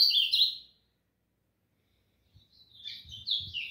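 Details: Captive male Ultramarine grosbeak (Cyanoloxia brissonii), singing a lot outdoors in the morning sun around 6:30 in a warm-up session: a short burst of high warbled phrases, a pause of about 1.5 seconds, then a longer run of slurred notes.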